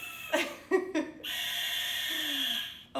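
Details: A long, harsh, hissing, scream-like Barn owl call of almost two seconds, played as a recording at a nature center, follows brief human speech; this call tells other animals the owl is close by.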